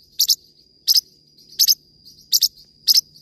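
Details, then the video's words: Forpus parrotlet in song, giving five quick doubled chirps in just over three seconds, each a pair of sharp high notes, with a continuous thin whine behind them. "forpus bird singing"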